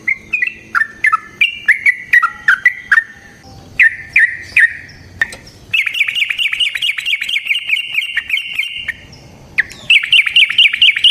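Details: Yellow-vented bulbul fighting song for luring other birds: bubbling, varied notes at first, then a fast, steady chatter of repeated notes for several seconds, a pause, and another fast chattering run.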